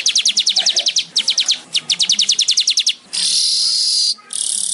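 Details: Weaver (manyar) giving quick, staccato runs of high chirps in three bursts, followed by an even, sizzling buzz that breaks off and then starts again.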